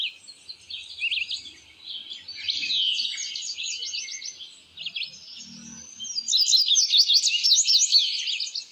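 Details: Indigo Bunting giving long runs of high, fast, buzzy twittering notes that slur up and down and come in phrases several seconds long, growing louder in the last few seconds, with a faint low murmur partway through.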